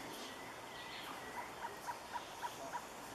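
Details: Surucua trogon singing: a short series of six soft, evenly spaced hooting notes on one pitch, about four per second, beginning after a quiet start over a faint hiss of background insects.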